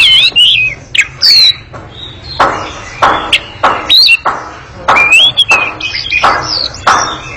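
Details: Oriental magpie-robin in a long, agile, noisy chattering song: clear whistled slurs alternating with broad, harsh rasping bursts roughly every half second.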